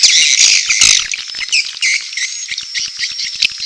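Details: Swiftlets in courtship with chicks calling, a swiftlet-house lure. Loud burst of buzzy chattering fades into thin high whistles over a run of regular soft clicks.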